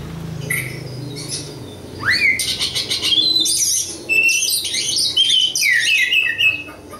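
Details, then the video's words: Oriental magpie-robin from local East Java stock, starting with scattered high notes, then a steep rising whistle leading into a dense varied stream of buzzy trills and slurred whistles, low hum underneath. "kacer lokal jawa timur"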